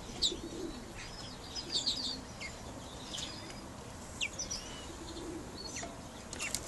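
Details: Male European greenfinches kept for the 2012 breeding season give scattered short, high chirps and brief twitters, spaced irregularly over a soft hiss, with a few faint rustles and wing flutters.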